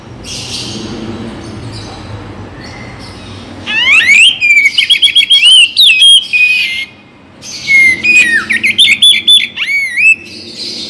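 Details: Oriental magpie-robin song for morning and evening, played to make listless birds lively and stir other songbirds: after a quiet, noisy start come loud, varied whistled phrases with rapid sweeping notes and sharp chirps, in two bursts.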